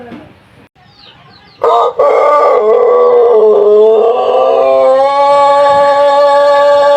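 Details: Pelung chicken, an ornamental breed native to Cianjur, West Java, Indonesia, gives its long, melodious, rhythmic crow: after brief faint sounds, a loud sustained harmonic tone begins and holds steadily for more than five seconds, dipping slightly and then rising near the end.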